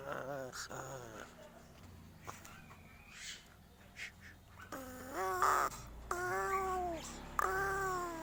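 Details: Crow uttering strange sounds: soft, nasal, harmonic notes at first, then several louder drawn-out calls that dip and rise, about one per second, over a low background hum.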